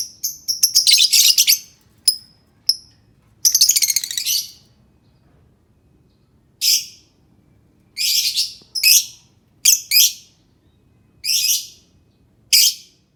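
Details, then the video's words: Lovebird calling meant to coax quiet lovebirds into voicing: a fast run of shrill chattering chirps at the start, a few isolated sharp notes, then a series of brief harsh chirp bursts spaced every second or so. "pancing suara lovebird yang diam Malas bunyi"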